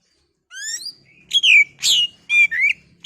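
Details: Oriental magpie-robin (kacer) song used as a lure to provoke other birds into singing: loud clear whistled phrases, some rising and some sliding down, separated by short pauses, with a faint low hum underneath.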